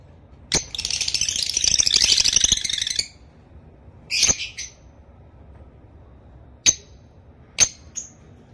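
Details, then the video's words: A blue masked lovebird gives a long rasping, chattering burst of high chirps, then several sharp single squeaks at irregular intervals. "Lovebird 100 percent original chirping sound"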